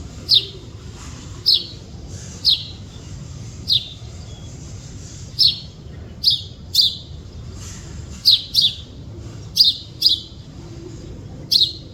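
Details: Chidiya, a bird chirping in the wild: about a dozen bright, high, downward-slurred chirps at uneven intervals of roughly one second, sometimes two close together, over soft background hiss.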